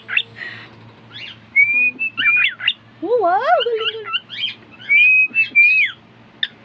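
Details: A pet cockatiel trained to sing whistles 'If You're Happy and You Know It' in clear, sliding notes mixed with short chirps and squeaks.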